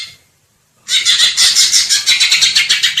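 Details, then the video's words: After a short quiet start, a greater green leafbird bursts into loud, fast, chattering song of clipped high notes, about three per second, strong and continuous to the end. "Cucak ijo biar ga kondangan mulu master pakai ini bos"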